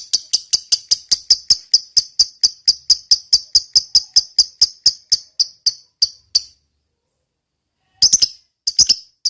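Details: Fighter-type lovebird with long 'ngekek' chatter: a run of harsh, high, clicking notes slows and stops after six seconds, then a short burst of the same notes resumes after a pause.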